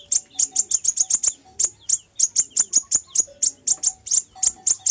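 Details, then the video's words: Lure recording of a fire-breasted sunbird: rapid strings of thin, very high, sharply struck chirps, grouped in fast runs with short gaps, over a faint low background tone. "Tiếng chim hút mật ngực lửa bản chuẩn kích bổi cực hay"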